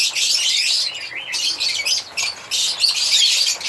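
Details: Chirping and singing of African lovebirds: rapid, shrill high-pitched chatter in bursts separated by short gaps, a flock of birds calling together.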